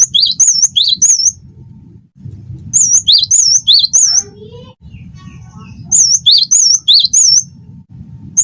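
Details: Cinereous tit, wingko type, singing as a tutor for other birds: three bursts of repeated high, piercing, wavering whistles, with a faint lower, softer sound in the middle pause.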